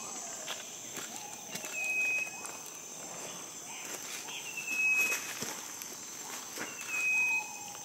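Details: A loudly calling Striped wren-babbler in Malaysia gives a thin, high, level whistle about every two and a half seconds, over a steady insect hiss, with lower whistles from another bird.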